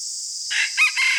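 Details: Morning crow of a red junglefowl used as a decoy bird: a brief rough opening burst, a sharp louder peak, then a drawn-out strained tail, over a steady high insect hiss.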